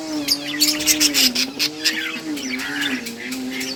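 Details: Budgerigars in a breeding setup, playing and chirping: many bright, overlapping high chirps and quick twittering notes in a busy chatter, over a steady low droning hum that wavers slightly in pitch.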